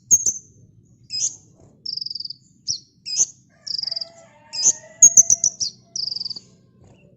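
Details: Energetic kolibri ninja sunbird song, recorded as a master for tutoring caged birds: sharp high chirps and rapid rattling trills in close-packed phrases, one after another with little pause, over a faint low hum.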